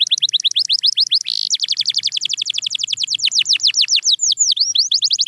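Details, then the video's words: Canary song for singing practice: a continuous fast trill of crisp down-slurred notes, broken by a brief buzzy burst, then resuming with slightly wider, swinging sweeps near the end. "Watch Silent Canaries Start Singing Again – Magical Sound Inside!"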